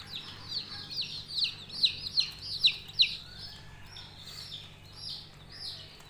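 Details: Coloured budgerigar chicks calling: a clear series of loud, high chirps sliding downward, roughly three a second and peaking midway, then fading into softer scattered chirps.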